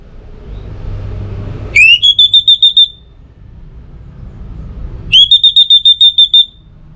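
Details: Orange-headed thrush lure song for morning and evening: two phrases, each opening with a sharp rising sweep followed by about seven rapid, high, even whistled notes.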